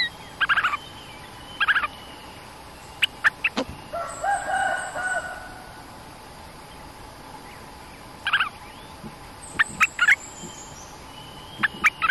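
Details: Cream-vented bulbul lure-song recording; a resident bird came down behind the trap cage. Short, bubbly chattering bursts every few seconds, mid-high pitched; a rooster crows faintly in the background midway.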